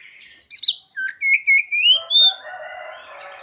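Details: Oriental magpie-robin singing mimicked ciblek and sogon phrases: a rough burst, then a steady rising sequence of clear whistled notes, followed by a broad, buzzy, wavering tail.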